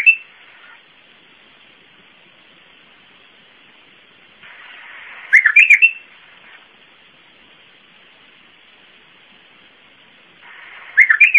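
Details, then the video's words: Iraqi bulbul singing Zamili-style: short bursts of four or five quick, liquid whistled notes, repeated roughly every five seconds, separated by quiet hiss. "تغريد بلبل عراقي طور زاملي"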